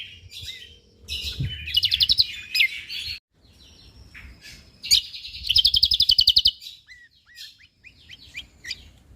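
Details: Lombok white-eye in full, dense 'tembakan rapat' song style: high twittering phrases broken by two long bursts of rapid, evenly pulsed notes, then scattered short upslurred whistles near the end.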